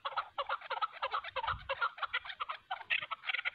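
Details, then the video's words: A wild chukar and a hunting decoy chukar fighting, giving rapid, continuous rattling clucks that run together into a churring chatter, several notes per second, with faint low thumps in the middle. "shikari chakor aur pahrhi chakor k darmiyan zbardas layi"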